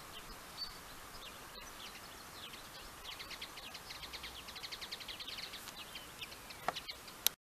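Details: Common linnet in song: after a quiet start, a fast series of dry twittering notes, about a dozen in quick succession, then a couple of sharp clicks near the end.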